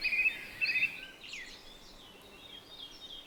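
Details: Birds chirping for relaxation and sleep: two short bursts of bright, high chirps in the first second, then only faint, thin twittering fading into a soft background hiss.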